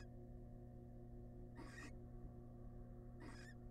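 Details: Barn owls, wild, in a monitored nest box while the male presents a big rat to the family; two broad, breathy screeches of under half a second each, roughly 1.6 seconds apart, over steady humming.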